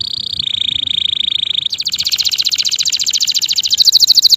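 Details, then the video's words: Male canary singing: a steady, high buzzy trill that drops slightly in pitch, then a faster, broad pulsed roll that ends in sharp, rapidly repeated notes. "canario macho cantando"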